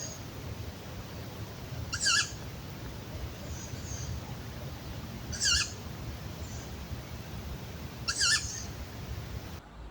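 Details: Two young tawny owls high on a branch, quiet by day but noisy at night: three harsh, hissing screeches rising into a wheezy squeak, spaced about three seconds apart, over a low steady background hum.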